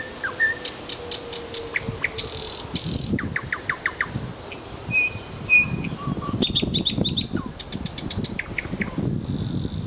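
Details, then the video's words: Nightingale song from Kuzminsky forest park: steady series of repeated clipped notes, brief whistles and a buzzy chattering phrase, set against constant low background rumble. "Голос соловья"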